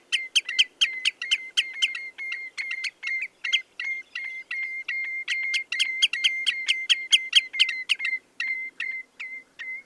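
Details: Clear, steady piping song of the common redshank, a long unbroken series of ringing whistled notes at an even pitch, about two per second, in quiet surroundings.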